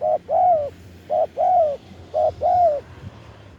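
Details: Spotted dove cooing to call in wild doves, recorded live: three loud paired phrases, a clipped coo followed by a longer bowed coo, repeated at an even pace with light background hum.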